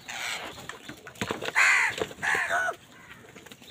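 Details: Crows fighting over food: two harsh, arched caws in the middle, the first loud and the second trailing off, over steady background noise and faint chirping.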